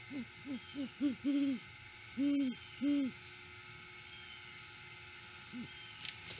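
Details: Great horned owl, a male visiting his nest tree solo at sunrise in August, off-season, on a live cam: several quick low hoots, then three long, strong hoots about a second apart, one faint hoot later, over constant hiss.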